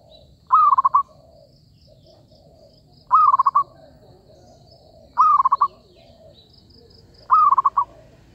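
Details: Zebra dove calling as a lure for trapping. Four phrases come about two seconds apart, each a brief cooing note tumbling into a fast, trilled series of pulses, with a faint high hum behind.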